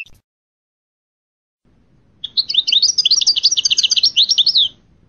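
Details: European goldfinch song note from a series naming individual notes: a single rapid, bright, rattling trill of high chirps lasting over two seconds after silence.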